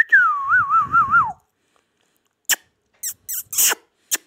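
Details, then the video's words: Pet rose-ringed parakeet from Pakistan giving a loud warbling whistle that wavers up and down several times before falling away, followed by a few short sharp clicks and squeaks. "amazing ringneck |talking sweet| parrot"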